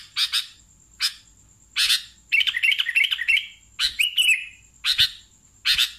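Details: Sooty-headed bulbul mixing loud clipped double chirps with a rapid warbled run of slurred notes and a sliding whistle-like phrase, spaced by short gaps; a faint steady high whine runs under it.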